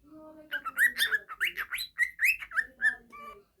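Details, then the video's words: Pet budgerigar singing: a rapid, continuous warble of varied chirps, squeaks and whistled notes, some rising and falling, with no pauses. "parrot sings cute parrot pemasteran parkit australi"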